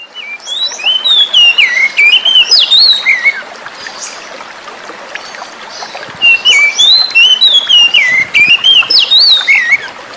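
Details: Oriental magpie-robin song, used as therapy to stimulate birds that stopped singing: two bursts of rich, varied whistled phrases with quick rising and falling slurs, separated by a pause, over steady flowing water.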